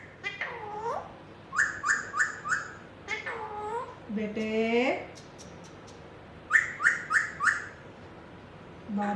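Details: Tame Indian ringneck parakeet speaking while perched on a hand indoors, giving clipped, high-pitched word-like syllables, with a quick triple phrase repeated twice and longer drawn-out words between.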